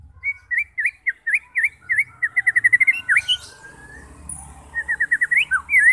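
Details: White-rumped shama song meant to provoke fighter birds into singing: a run of repeated V-shaped whistled notes, speeding into a quick series, then a rising whistle and another fast burst of sharp notes.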